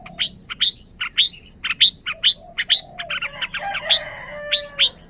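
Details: Red-whiskered bulbul, bright chirps repeated roughly every half second, each with a sharp rising flick, over a faint softer warble.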